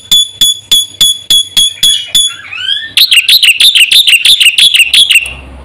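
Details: Black-winged myna singing on a lure and training recording for caged birds: evenly spaced, pure, piercing whistled notes, a brief sliding swoop, then a quick run of sharp, rising, clipped whistles.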